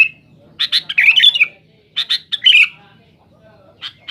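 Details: Short rival-challenging song of a Sooty-headed bulbul: two harsh, rapid chattering bursts, then near silence and a final faint chirp.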